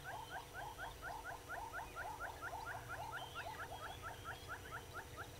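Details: Southern yellow-billed hornbill at Gowrie dam, a waterhole on Djuma Game Reserve, Sabi Sand, South Africa, 06:53 on 24 April 2022: loud, even run of clucking double notes, roughly two per second, continuing throughout, soft bird calls behind.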